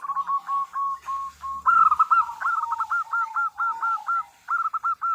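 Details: Female zebra dove, local type, calling a male for use as a lure: spaced hooked notes quickening into a fast rattling series of cooing syllables, ending with a short loud phrase.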